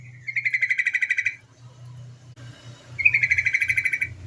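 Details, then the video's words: Female yellow-vented bulbul call, used as a lure to prompt untrained birds to sing: two bursts of rapid, evenly pulsed chattering notes, each lasting about a second, separated by a pause, over a low background hum. "suara TRUCUKAN BETINA sebagai pancingan burung trucuk bahan agar cepat bunyi gacor"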